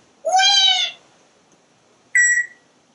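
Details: Pet parrot on a screened porch, watching squirrels and birds. A drawn-out, nasal, harmonic-rich note is followed after a pause by a shorter, brighter whistled note.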